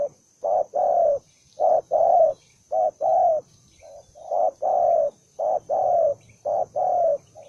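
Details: Aggressive, fight-ready spotted dove delivering loud low coos in pairs, a brief note then a longer one, repeated roughly once a second without pause.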